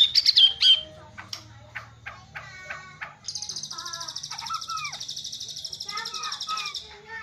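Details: White-rumped shama delivering rich filler song in a bowing style: opening bright chirps, spaced harmonic notes, then a long rapid buzzy trill running for about four seconds with slurred whistles beneath it.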